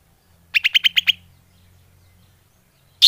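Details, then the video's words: Greater green leafbird lure call, six evenly spaced sharp chip notes in quick succession, then quiet before a new note begins. "Suara Pikat burung cucak hijau / leaf bird call"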